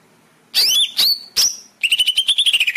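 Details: Greater green leafbird song used as a master recording to train caged birds to sing; three loud slurred whistled notes sweeping down, then a rapid trilled run of about fifteen even notes.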